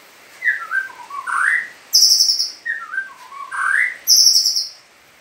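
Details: Seven-month-old Sumatran oriental magpie-robin of the pastol type singing a learned cililin song as a training song for young birds: low whistled rising slurs around two notes, then bright high rapid trills, repeated twice.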